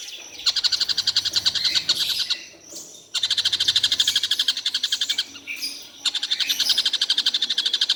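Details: Tengkek buto kingfisher that calls all day without stopping. It gives three bursts of fast, ringing, high-pitched notes in quick series, separated by brief pauses, with faint low hum in the background.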